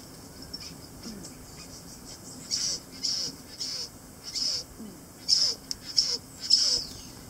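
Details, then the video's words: Satin bowerbird (Ptilonorhynchus violaceus) gives a run of about seven short, harsh, buzzy bursts, spaced roughly half a second to a second apart, with faint lower whistled notes beneath. "SATIN BOWERBIRD"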